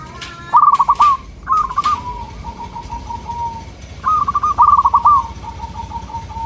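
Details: Local zebra dove cooing as a lure for local birds: two pairs of stuttering trilled phrases, each trailing into a soft, fading series of beaded notes.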